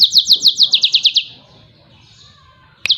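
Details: Yellow-fronted canary song used to train other songbirds: fast repeated high trills of downslurred notes, about three per second and more, then a pause and a brief renewed burst.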